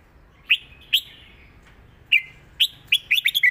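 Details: Red-whiskered bulbul giving 'rik' southern-style master song. Two separated liquid notes with drawn-out tails, another after a gap, then a rapid flourish of five bubbling whistled notes ending on a level tone.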